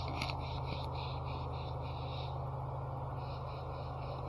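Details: A steady low electrical hum runs throughout, with brief scraping noises and faint mid-high bands early on, but no animal voice.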